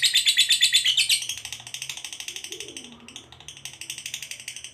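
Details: A lovebird's long 'ngekek' trill, meant to provoke other lovebirds: loud rapid shrill pulses at first, then fading to a quieter, steady chattering run with a brief low murmur in the background.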